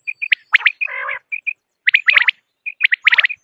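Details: Common quail: short, clipped, bright notes in quick groups and one drawn-out nasal, buzzy note, heard in a quiet setting.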